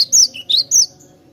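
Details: Cinereous tit song used as a lure for wild birds: three short, clear whistled notes in quick succession, the first slurred downward, then a lower note and a rising one, on a quiet background.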